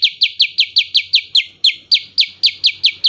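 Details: A steady volley of bright, ringing downslurred notes from a black-headed bulbul, about four per second, in the fast "tembakan" (shooting) style. A faint low hum sits underneath.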